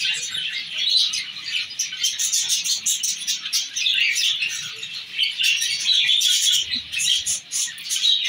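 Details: Pair of half-orange zebra finches, a male and a female, chatter in quick, nasal beeps and chirps, a busy stream of high calls.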